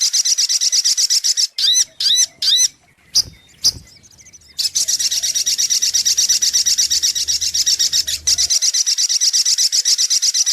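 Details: Sunbird lure song for trapping: long high rapid trill, interrupted early by several separate sweeping notes and a few knocks and clicks before the trill resumes.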